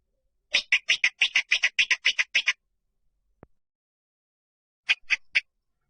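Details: Rail lure call: about a dozen rapid, harsh, chattering notes in quick succession, a pause with a single faint tick, then three more notes at the end.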